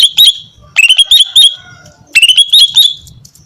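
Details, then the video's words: Greater green leafbird, a female singing to entice males: three bursts of rapid chattering clicks, each sliding into a bright whistled trill, roughly a second apart. "SUARA BURUNG CUCAK IJO BETINA GACOR MEMANCING JANTAN"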